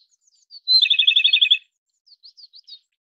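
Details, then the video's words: Song of the Japanese robin: a piercing introductory note, then a quick rattling trill of about eleven evenly spaced notes, trailed by a few soft, short, high chips. "日本歌鴝/Japanese Robin"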